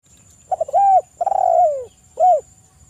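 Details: Spotted dove coo, played as a lure and therapy recording to stimulate calling: short stuttered notes lead into a mellow downslurred coo, a longer rolling purred coo, then a final clipped coo, low and hollow.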